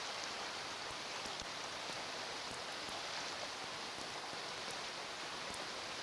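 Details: Steady hissing rain with scattered drip clicks, and no animal voice.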